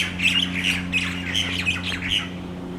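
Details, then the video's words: Tropical birds singing at dusk while roosting in exotic trees and palms on Maui in the Central Pacific; a jumble of squawky, chattering notes over a steady low electrical hum. "The sound of Tropical Birds on Maui at Dusk"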